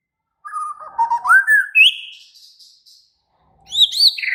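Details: White-rumped shama singing in an agitated, excited state. Loud, rich whistled phrases slide upward from low to high notes, with a pause before a burst of high, sweeping whistles. The song is varied.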